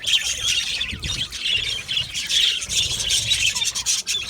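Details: Many aviary budgerigars chatter at once in high, rasping chirps and squawks, a constant busy babble with small surges in loudness, followed by brief human speech.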